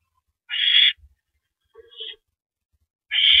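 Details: Barn owl at the nest, 8:45 PM, April 9, 2012, during the male's prey delivery of a rodent. Two strong, harsh hissing bursts are separated by a softer, thinner squeaky note in the gap.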